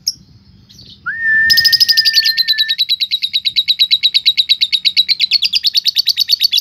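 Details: Lovebird singing in the Indonesian ngetik-then-ngekek style, a lure to make other lovebirds sing and turn fighter: a short level whistle, then a long, fast chatter of sharp high chirps, about seven a second, steady for five seconds.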